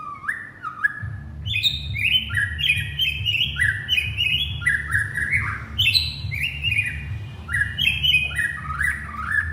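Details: Male white-rumped shama calling to its partner in a long, rich, varied whistled song of rapid rising and falling phrases with crisp high accents, delivered almost without pause over a low steady hum.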